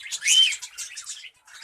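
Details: Budgerigars in a breeding colony give dense, high warbling chatter with overlapping chirps and squeaks, one loud burst early on, then softer twittering that briefly drops out near the end.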